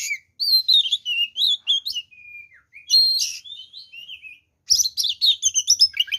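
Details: Energetic oriental magpie-robin song in fighting style, full of varied phrases that agitate other magpie-robins; long sweet whistled notes, a thin descending slur, then a fast run of sharp chirps and trills after a short gap.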